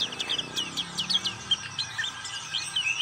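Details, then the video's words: Black-capped white-eye in ngriwik song: dense, busy high twittering with rapid sliding chirps and short whistled notes running almost continuously over a faint low background hum. "Pleci black capped ngriwik"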